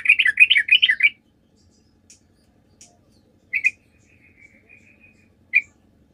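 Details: Yellow-vented bulbul singing actively, played as a lure so other bulbuls reply: an opening second of fast, bubbly warbled notes, followed by a few isolated short chirps and a thin, level whistled trill.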